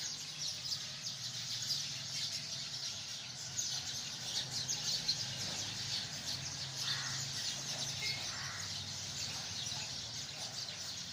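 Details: Massed chirping from hundreds of sparrows in a tree: a continuous high chatter with scattered sharper notes, a low steady hum running underneath for the whole stretch.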